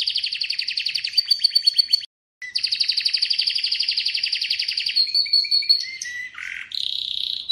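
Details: Atlantic canary singing: long fast trills of rapid repeated high notes, a brief pause, then more rolling trills ending in clear whistled tones and a buzzy note.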